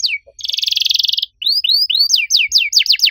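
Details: Canary singing loudly in a unique cengkok style: a short downslurred note, a dense buzzy trill, then a string of swooping upslurred and downslurred whistles that grow faster and sharper toward the end.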